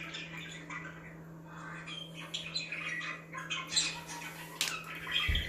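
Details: Budgerigars chirping to rouse other birds, a jumble of buzzy squawks and whistled chirps building toward the end, with a low thud at the close and a steady hum.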